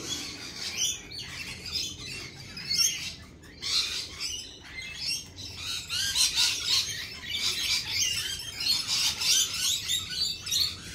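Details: A flock of lorikeets chattering and screeching nonstop, the rasping calls coming in quick overlapping pulses that grow busier toward the end.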